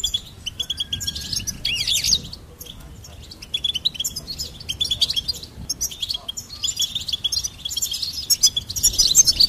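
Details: Goldfinch song: rapid twittering of high chirps and buzzy trills, with brief pauses near two and six seconds before the singing resumes more densely.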